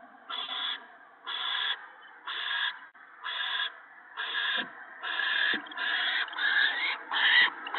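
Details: At a nest where an adult owl fed gophers to its owlets in late March 2017, short rasping hisses repeat rapidly, roughly one per second, growing slightly louder and closer together toward the end.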